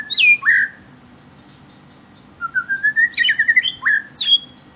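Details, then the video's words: White-rumped shama song used as a lure for captive birds: loud clear whistled notes near the start, then a run of rising and falling whistles and quick slurred phrases after a pause. "SUARA MERDU PANCINGAN MURAI BATU EMOSI"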